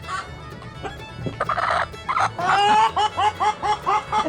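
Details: Chickens pecking and scratching: after scattered soft sounds, a hen breaks into clucking, a run of short, rounded, nasal notes repeated about four times a second that grows louder toward the end.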